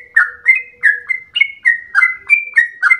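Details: Rapid, sustained song of a trucukan (yellow-vented bulbul) resembling a straw-headed bulbul, with chirpy whistled notes that slur up and down in quick succession and a faint low hum behind them.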